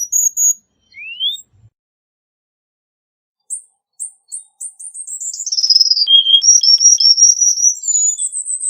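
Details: Cuban bullfinch singing 'tembakan rapat', a dense rapid-fire style used for masteran tutoring: a lone rising whistle, then sharp high notes speeding into a continuous descending and leveling run of piercing whistles.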